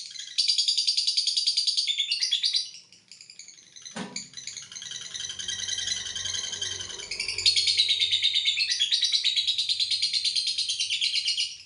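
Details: Lovebird giving a long ngekek trill: a fast, buzzy, rattling run of high pulses for about two seconds, a pause with a sharp knock and low murmur, then a second, longer rattling trill of about four seconds.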